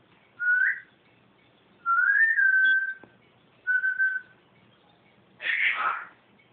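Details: Pet bird indoors calling the cat, giving four whistles: a short rising note, a long wavering whistle, a brief flat note, then a harsher, broader, noisier call at the end.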